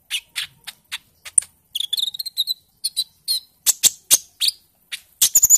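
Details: Olive-backed sunbird, a young bird at the early green-speckled stage moulting out of juvenile plumage, recorded as a lure to get other birds singing: sharp dry clicks and ticks, then a run of short high warbled notes and bright chirps.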